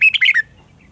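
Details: Red-whiskered bulbul singing a morning song in the mature wild-forest voice, used as a lure to train caged birds: one quick, rich warbled phrase of four linked, bubbling notes, then quiet.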